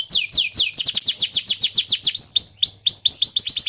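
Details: Canary song used as a training recording to prompt young canaries and birds that have stopped singing; fast series of descending whistled notes about eight per second, then sharper upswept chips and a buzzy trill.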